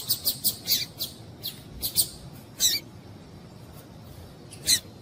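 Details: A female double-collared seedeater, whose call is meant to stimulate a male to sing, opens with a fast series of sharp high chips that slows to scattered single notes.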